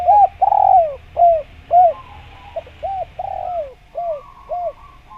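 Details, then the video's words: Energetic spotted dove calling, recorded as bait for trapping wild doves. A long falling coo, then a run of short rounded coos at steady spacing, fading slightly toward the end. "Suara Burung Derkuku Gacor Cocok Untuk Pancingan Dan pikat Tekukur"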